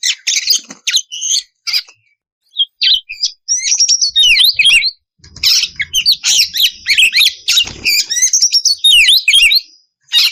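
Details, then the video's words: Oriental magpie-robin song as a lure for other magpie-robins: sharp chirps and short gaps give way to a long, loud run of varied whistles, downward sweeps and buzzy trills. "Pancingan suara kacer ngeplong memanggil kacer bahan lekas nyaut langsung bunyi"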